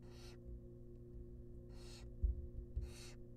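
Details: Three drawn-out hissing screeches from wild barn owl nestlings fed a rabbit in a monitored nest box. Soft thuds and a low hum are heard between the calls.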